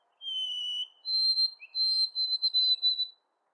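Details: White-throated sparrow, original three-syllable song version, played back: a pure whistled low note, then a higher held whistle, then a quick run of repeated high notes at the same pitch. There is no background sound.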